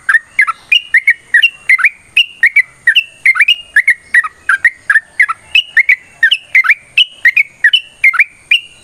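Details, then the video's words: Long 'ropel' song of a lively yellow-vented bulbul, 'tarung' style, meant to lure birds into singing: continuous cascade of liquid, bubbling notes rising and falling, each short phrase following the last without a break. "TRUCUKAN GACOR TARUNG ROPEL PANJANG Pancingan trucukan Agar Bunyi Jadikan Burung Trucuk Gacor Nyaut"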